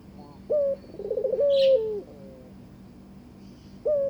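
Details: Barbary dove courting its new mate: a short low coo, then a rapid rolling purr that flows into a sustained, gently falling coo. Another brief coo comes after a pause.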